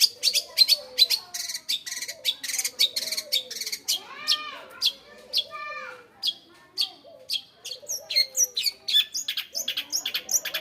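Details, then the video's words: Long-tailed shrike kept as a house bird, singing a busy, varied song of sharp chirps, rapid clicks and short whistled notes, with downward-arched slurs and a few buzzy phrases, delivered almost without pause. "Burung rumahan bang"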